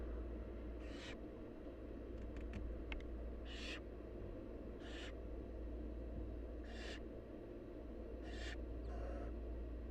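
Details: Begging wild barn owl nestlings while their mother feeds them: repeated rasping, hissy shrieks, about six short bursts roughly every one to two seconds, with a few faint clicks, over constant low humming noise.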